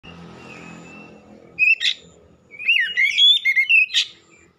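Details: Black-breasted oriental magpie-robin gives a loud, powerful song: after a quiet start, a short whistle burst comes, then a run of varied sliding whistles and sharp chirps.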